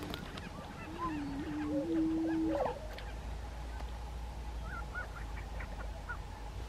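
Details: Lekking grouse in Colorado, 2023: a low, steady hooting tone held for about one and a half seconds, stepping slightly in pitch, with faint higher calls and steady background hiss.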